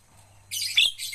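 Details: Javan myna being trained to sing, one loud burst of grating, wheezy high notes with a brief whistled squeak in the middle after a near-quiet start.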